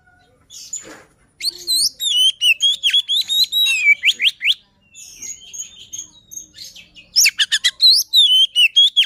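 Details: Luring song of a white-rumped shama, a rich medley of loud whistled notes, upward slides and fast clicking chirp bursts, starting after a quiet second and running almost continuously with brief gaps.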